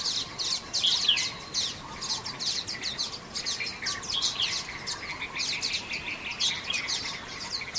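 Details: Several common waxbills in Xinyuan Township, recorded on 3 June 2024, chatter steadily in a busy stream of high, buzzy chirps that overlap without pause.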